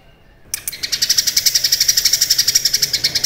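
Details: Cucak kinoi singing actively, recorded as tutor material for competition birds: after a quiet half-second, a quick regular series of loud, buzzy high-pitched pulses, roughly four each second.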